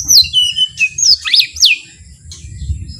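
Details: Soft, relaxed white-rumped shama song used to stir other shamas to sing: varied high whistles, arching and dipping, with a short warbled flourish in the middle, over low background noise.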